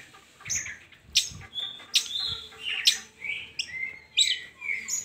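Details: Long-tailed shrike song meant to draw lazy shrikes into singing; sharp chirps mixed with falling whistles and thin high notes, plus faint low thumps near the start.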